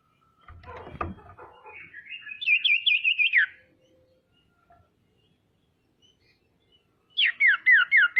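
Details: Lure recording of a female common iora meant to provoke rivals into calling, with rustling and a knock before a rapid whistled trill that drops at the end, then a second fast trill of falling notes after a pause.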